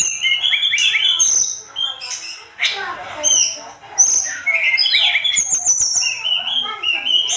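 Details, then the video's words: Sunda robin (tledekan gunung) singing with vigour, used as tutor song for songbirds: varied phrases of thin high whistles, quick stepped notes and buzzy trills, with short gaps between bursts. "Masteran terbaik tledekan gunung gacor emosi"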